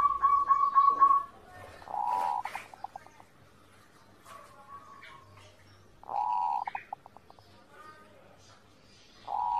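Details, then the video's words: Zebra dove (perkutut) song used as master audio for training birds to sing: a rapid run of staccato coos near one pitch, then sustained hollow tones and quick pulsed notes, with quiet gaps between phrases. "masteran perkutut, perkutut gacor"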